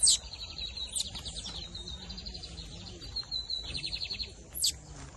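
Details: Lined seedeater (bigodinho) of the camelão and torneiro song styles, 2023 season, singing fast buzzy trills around high pitch in bursts, with sharp high chip notes and a low hum beneath.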